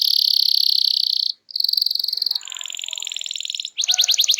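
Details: Loud, nonstop canary singing used to spur silent birds into song: a sustained high buzzing trill, a brief break, further rapid rattling trills dropping lower, then a string of quick swept chirps.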